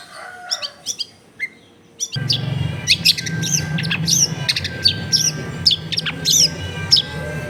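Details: Long-tailed shrike in full song, recorded at home in a densely populated area as a lure to get quiet shrikes singing: scattered chirps, then a low steady hum under repeated bright, upslurred squeaky notes.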